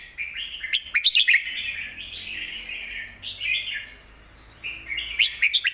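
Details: Teaching song from a caged red-whiskered bulbul: rapid bright chirps lead into bubbly, slurred whistled phrases, a quiet gap of about a second, then renewed lively warbling with sharp accents.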